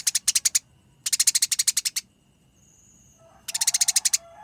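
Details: Eurasian tree sparrow in a fight, singing a rolling, tightly packed chatter with a clear voice: three quick bursts of harsh, high repeated chirps, with a thin whistle heard faintly between them.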